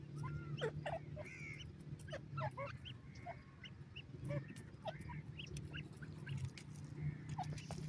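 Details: Iranian francolin chicks being raised: many short, thin chirps and quick upslurred peeps, some overlapping, scattered through the clip over a steady low hum.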